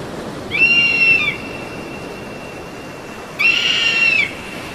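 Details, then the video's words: Eagle giving two loud, clear whistled calls about three seconds apart. Each is a high, slightly downslurred note lasting under a second, with strong overtones, over a steady faint hiss. "SUARA MASTER BURUNG ELANG"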